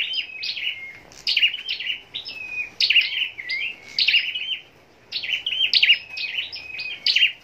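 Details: High, sparkling twitter from a caged scarlet-backed flowerpecker raised for song competitions: rapid clusters of piercing chips and short slurred whistles, repeated in bursts with brief gaps.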